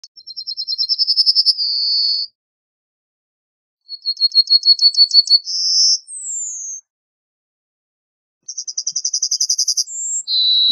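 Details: Yellowhammer singing three phrases, each a fast rattle of short high repeated notes speeding into a sustained drawn-out note, one phrase ending in a slurred descending whistle; pauses of about two seconds between phrases.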